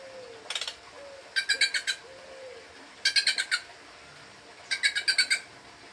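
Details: Wild bird interacting with a person who offers food; groups of four or five rapid, harsh, ringing notes repeat about every one and a half seconds, with a faint low whistle between the first bursts.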